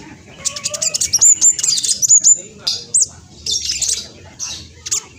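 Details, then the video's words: Speckled black sunbird, a vigorous fast singer used as a lure to draw replies from other birds: rapid high thin chirps and sharp twittering notes, bursts of quick buzzy trills with brief pauses between phrases. "Kolibri blacksunbird trotol speed cepat semua burung akan ikutan nyaut respon"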